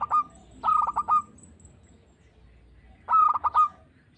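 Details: Local zebra dove, one of several calling birds in a singing audition, giving a short coo, then a mellow phrase of rolling, stuttered coos, repeated after a pause of about two seconds.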